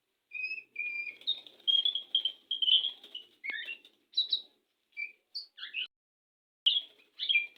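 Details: Courting white-rumped shama ready to mate, giving a rich varied phrase of clear whistles and buzzy trills, followed by separate short chirping notes with brief gaps between them.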